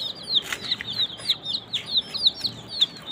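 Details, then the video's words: Young chicks, desi chickens kept under heat with veterinary care, peep steadily in a group: high, thin downward-slurred chirps, several per second, overlapping and continuous, with faint soft rustling beneath. "Murgi Chicks Chirping Sound"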